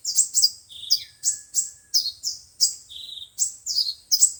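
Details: Sunbird song from five- and seven-colored kinds, played from a speaker to attract birds for capture: crisp, high down-slurred chips repeated about three times a second, plus one thin, level lower whistle.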